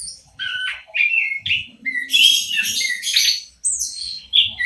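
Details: Local orange-headed thrush singing as a lure for birds that will not sing: clear whistled phrases at varying pitch mixed with rasping, squeaky high notes.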